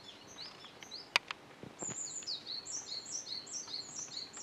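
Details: Fledgling Japanese tit still near the nest tree the morning after fledging, fed by a parent on 5 July 2013; a few clicks, then a steady series of short, high, down-slurred chirps repeated rapidly.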